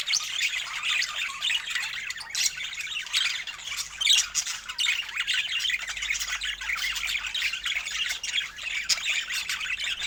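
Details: Several budgerigars reacting to fresh food, filmed in natural Scandinavian light: a steady wash of bright, scratchy chirps and warbles overlapping without pause, with occasional louder squawks over a faint low hum.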